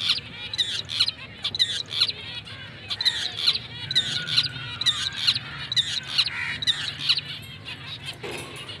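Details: Rare black-breasted mutation zebra finches, a confirmed breeding pair, keeping up steady bursts of nasal, trumpet-like beeps, several per second at times, with a softer drawn-out tone mid-clip and faint low background noise.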